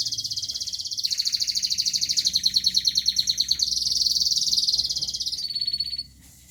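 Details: High, continuous rolling trill from a local canary, changing speed and tone in several sections of rapid pulses, ending in a short pure whistle before falling silent; faint low background noise.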